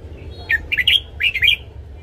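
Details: Red-whiskered bulbul in captivity singing in the morning, used to train other birds: two fast phrases of bright, slurred whistled notes, each phrase rising and falling, with low hum behind.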